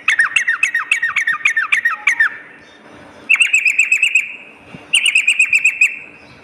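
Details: Sooty-headed bulbul recording used as a lure and master for morning and night: a dense run of rapid, falling chirped notes, a pause, then two shorter bursts of fast repeated chirps.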